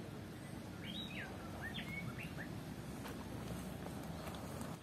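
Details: A wren at the Recinto del Pensamiento in Manizales, Colombia, sings a quick run of bright, varied whistled notes, some rising and some falling, over a steady low rumble of outdoor background noise.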